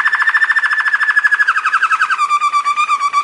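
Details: Belgian Waterslager canary, a song canary, in a training song: a soft, bubbly rolling trill, fast repeated notes sliding gently downward before settling into a steady lower warble.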